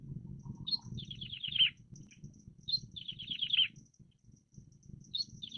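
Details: Wild plain prinia song: each phrase starts with a high note, then a quick descending run of buzzy notes, repeated about every two seconds, with low rumbling background.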